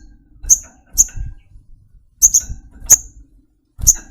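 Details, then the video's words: Flowerpecker, a songbird kept as a pet, giving sharp, very high ticking notes, singly and in quick pairs, spaced irregularly over a few seconds in a quiet setting with faint low rumble. "Tropical Bird Calls to Relax honey bird sogokontong"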